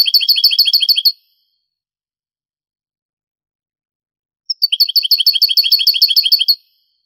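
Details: Goldfinch singing Granada-style Spanish song, taken from an original 1980s–90s cassette: a fast rolling run of identical bright notes closes out, silence follows, then a single high note leads into another two-second repeated phrase.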